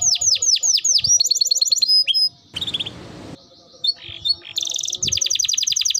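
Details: Energetic canary song used to stimulate canaries to sing: swooping downslurred notes, a quick trill, a brief noisy hiss, then a dense rapid rattling trill at the end.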